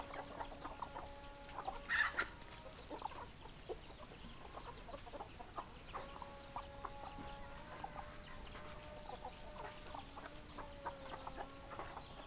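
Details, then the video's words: A group of hens clucks softly, scattered short clucks mixed with several long, held, even-pitched calls, one louder squawk near the start, the whole chorus fairly quiet. "Chicken Sounds Noises Hens Clucking Roosters Crowing"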